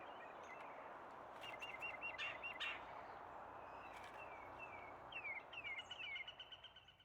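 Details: Red-headed Woodpecker calling in the background, rapid runs of short, sharp notes in two bursts over a steady rushing hiss; trail camera, East Tennessee foothills of the Great Smoky Mountains, week of 16 March 2026.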